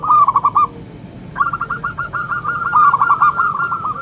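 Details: Loud local zebra dove used as a lure for other doves: a short burst of rapid bubbling coos, a pause, then a longer rolling series of quick stuttering notes ending in drawn-out trills.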